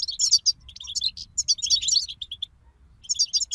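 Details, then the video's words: Loud, busy chorus of European goldfinches meant to rouse another goldfinch to sing: rapid, tangled, very high tinkling and buzzy twitters, a short lull, then the twittering returns. "أخرج حسونك من صمته واكتشف التغاريد المخفية لديه.. بتبتة رهيييبة وتحفيز خراااافي"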